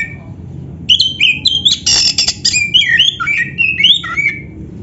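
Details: Oriental magpie-robin, black-breasted type, played to stimulate caged birds: a brief note, then a dense phrase of harsh squawks and rapid twisting whistles lasting about three seconds.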